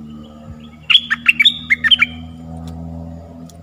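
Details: Stripe-throated bulbul decoy song for training young birds and luring wild birds: a crisp series of about eight quick, liquid notes alternating high and low, over a steady low mechanical hum.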